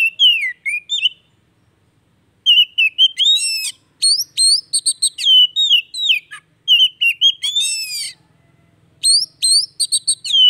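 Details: An Oriental magpie-robin sings at length, used as daily therapy to revive a quiet bird: repeated phrases of sharp rising chips, rattling trills and fluid downslurred whistles, separated by brief pauses.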